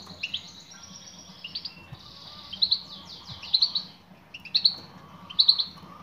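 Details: Calls of a female European goldfinch directed at a male: bursts of buzzy, descending twittering notes repeated in loose groups, with a faint low background hum.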